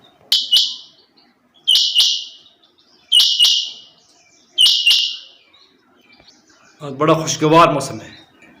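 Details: Female rain quail calling: four bright, buzzy doubled notes, each pair falling off quickly, repeated about every one and a half seconds, followed by a man speaking at the end.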